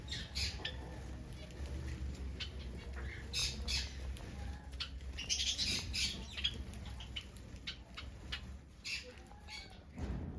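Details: Finches calling in a busy group: short, sharp chirps and squeaky notes come in quick, uneven bursts over a steady low background rumble.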